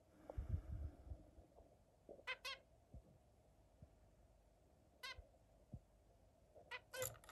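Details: Zebra finch among other birds uttering a few brief nasal beeps in pairs, with thumps and rustling between them.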